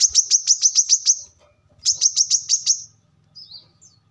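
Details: Two quick bursts of shrill, evenly spaced high chips from a brown-throated sunbird, known locally as kolibri kelapa, offered as a lure and song model for training birds; a soft low hum between.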